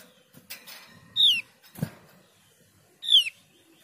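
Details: Two strong, high whistled notes sliding downward, about two seconds apart, from a Javan grey-throated white-eye (opior jawa), with rustling and a dull thump in between.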